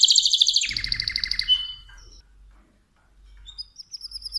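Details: Mosaic canary in song: a loud rolling trill at the start fading out, a short silence, then thin high whistled notes returning.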